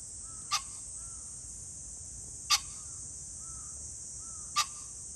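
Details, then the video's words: Pheasant calling on 21 July 2024: three short, harsh, explosive bursts spaced about two seconds apart, over a steady high-pitched insect drone and a few faint soft whistles in the background. "pheasant call ,キジ ,꿩"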